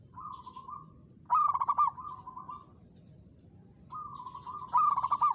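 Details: Local zebra dove answering a rival with challenging song. Soft, level, purring trills alternate with louder bursts of fast, stuttered coo notes, each phrase about a second long.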